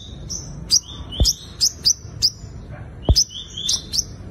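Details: High sunbird notes, used as a fighting-song lure: short level whistles jumping upward into sharp chips, repeated several times a second, with a couple of low thumps.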